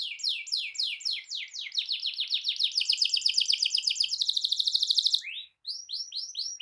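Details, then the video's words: A canary rolls through a long song meant to set other canaries singing: a series of repeated downslurred notes speeds into a fast, very high trill, breaks off, then resumes with a few sweeping notes. "Kicau Kenari Gacor Efektif PANCING EMOSI Kenari lain Cepat ikut gacor Ngerol panjang"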